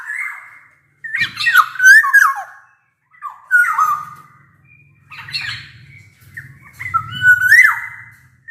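Black-naped oriole giving loud, fluty whistled phrases broken by harsh, nasal squawks, in bursts every second or two, over a faint low hum.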